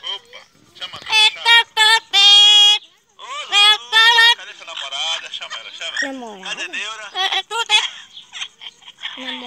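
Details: Pet parrot talking, said to always want coffee: a rapid run of high, nasal, speech-like phrases with bright stacked harmonics, some loud and sustained, others short and choppy, ending in softer chatter.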